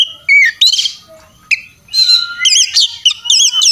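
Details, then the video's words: The Oriental magpie-robin is singing in fighting mood in a tutoring recording full of mimicry. Short whistles and scratchy bursts give way to a series of repeated wavy, looping notes. "masteran kacer tarung ngobra ngotot full isian"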